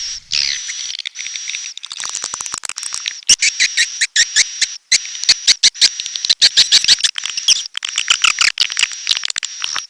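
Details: Edible-nest swiftlet of the red-nest kind giving high, thin chirping twitters over a steady piercing whine, broken by quick bursts of clicks repeated in short pulses roughly every half second.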